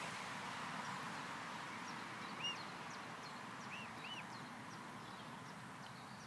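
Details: Three clear, soft arched peeps, one alone and then a close pair, come from a swan family settled on grass after eating swan food. Thin high chirps of other birds and a low background rumble are also heard.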